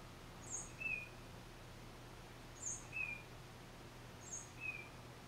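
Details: One tufted titmouse, recorded on a Nikon D3500 with Tamron 500mm lens, gives three spaced phrases, each a high sharp note followed by a lower whistled note, roughly every 1.8 seconds; faint background hum.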